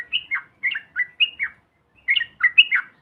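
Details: Yellow-vented bulbul calls used as a lure to provoke other birds into singing: short bubbly, warbling phrases of two to three slurred notes, repeated in quick bursts with brief pauses, then a denser chattering run.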